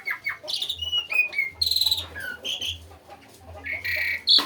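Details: Asian pied starling singing busily: a jumble of short whistles, downslurred notes and harsh buzzy bursts, with quiet gaps and a low hum beneath.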